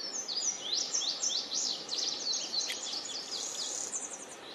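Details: Yellow warbler singing in the wild: a fast series of high, sweet, slurred notes dropping and rising, delivered in a continuous run over steady background hiss.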